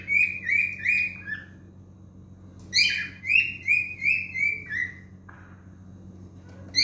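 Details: Singing male cockatiel gives phrases of bright, repeated whistled notes, each gently rising then falling, about three per second, a sharp upslurred opener before the second phrase, and a quiet gap mid-recording over faint background hum.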